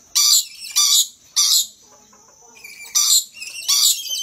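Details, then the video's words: One of a pair of excited, playful rainbow lorikeets dancing gives harsh, broadband screeches in bursts about every half second, with a thin sustained whistle between them. "Excited Rainbow Lorikeet"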